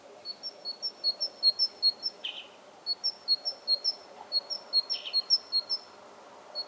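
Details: Great tit (Parus major) song: a long, steady series of high, ringing two-note 'teacher' phrases, rhythmic and even, with two short harsh scratchy calls cutting in and a low background hum.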